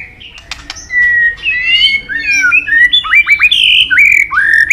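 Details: White-rumped shama giving a long training song of varied wild-style phrases: clear whistled glides, rising and falling slurs and fast twittering notes, with clicks at the start.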